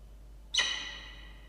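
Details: Falcon at a nest with two chicks hatched on 2 and 3 October, recorded 6 October 2023 at 16:43 on a nest camera: one sudden, grating, harmonic call that lingers with reverberation.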